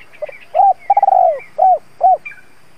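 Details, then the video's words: Decoy spotted dove, a trained lure bird calling to provoke wild doves, gives a series of low, hollow, rounded coos. A rapid stuttered coo run into a longer drawn note, then two separate coos, with a few faint higher chirps between. "Tiếng chim cu gáy (THÚC - GÁY GỌI) kích bổi hiệu quả"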